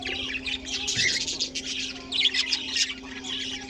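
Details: Colony budgerigars, with cockatiels also kept, producing a continuous busy mix of high scratchy chirps and warbles, a few sharper squeaks standing out, and a faint steady hum beneath.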